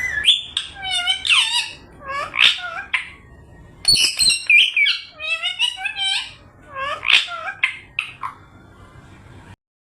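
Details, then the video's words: Parrot vocalizing in repeated bursts of harsh squawks and rising-falling whistled notes with layered harmonics, some phrases possibly talking, separated by brief pauses over about nine seconds before falling silent. "raw parrot"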